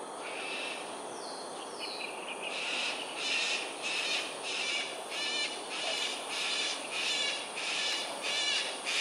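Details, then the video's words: Rapid, rhythmic run of harsh, raspy squawks, roughly one and a half per second and fairly regular, from cockatoos in aerial display over Sungei Ulu Pandan, Singapore, early morning of 13 January 2022, after a few softer calls. "Cockatoos "Aerial Display""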